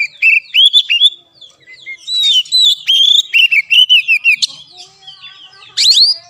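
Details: Training song of an Oriental magpie-robin used to provoke a non-singing caged kacer: fast, continuous string of slurred, hooked whistles, roughly two or three per second, easing off before a final sharp rising burst.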